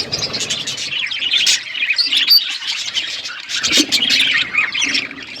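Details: On a winter morning, a group of pet budgies chatters steadily, with bright twittering notes, quick chirps and occasional louder squeaks layered together.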